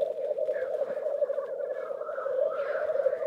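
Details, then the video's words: Several male black grouse compete at a lek in Västmanland, Sweden, giving a steady, dove-like bubbling murmur throughout with faint higher notes above it. "Black Grouse games"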